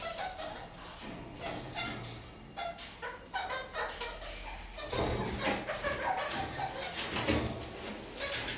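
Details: Kakariki walking upside down on a ceiling keep up lively singing: scattered scratchy chirps at first, building after the midpoint into a louder, busier run of rasping chatter and quick trills.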